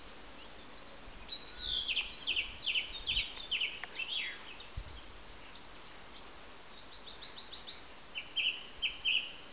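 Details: A singing song thrush delivers a string of varied high phrases, some short falling whistles, then a burst of rapid clipped notes grouped in repeated clusters near the end, against a hissing background.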